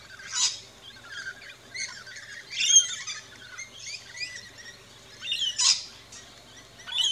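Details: Feeding rainbow lorikeets at a backyard feeding station in Australia utter sharp, scratchy chirps and brief squawks, spaced irregularly a second or so apart, with soft twitters between.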